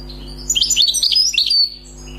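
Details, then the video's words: Wild-caught European goldfinch: one short, bright twittering phrase of slurred tinkling notes lasting about a second, then quiet hum. "غناء حسون بري صيد جديد"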